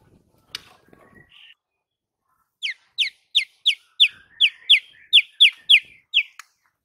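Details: White-rumped shama singing to provoke other shamas: a series of about eleven sharp descending whistled notes, evenly repeated roughly three per second, after some faint scratchy sounds.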